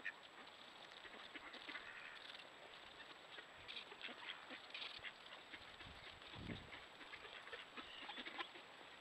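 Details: Trail cam recording of mallards spending winter on Lake Superior near Duluth and Superior: harsh, scattered quacks and chatter come in clusters throughout, over constant background hiss with a thin electronic tone.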